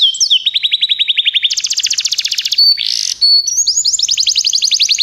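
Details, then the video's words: Canaries in full song for training: a steady fast roll of repeated notes, a higher buzzy trill, a short hissing burst, then pure whistles and another rapid rolling series. "Canários Begie cantam muito"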